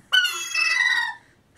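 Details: A young sea gull, a hand-raised chick spending its first winter in a city apartment, "talks" to its owner when asked: a single drawn-out, nasal call that holds its pitch and then falls slightly, lasting about a second.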